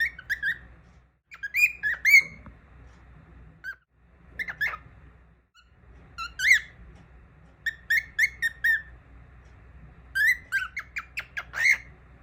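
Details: A baby cockatiel sings in clusters of whistled and squawky notes. The bursts include quick rising-falling chirps and brief rapid trills, with short silent gaps between clusters.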